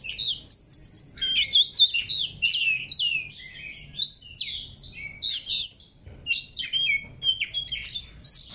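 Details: Murai kampung and MKB songbirds in a training session. The song is a dense, varied, continuous stream of loud whistles, slurred sweeps and sharp chips, with several rapid phrases overlapping.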